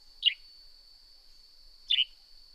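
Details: Two short, sharp chirps from a Northern grey-headed sparrow, about one and a half seconds apart, each slurring down in pitch. A continuous thin whine sounds behind them.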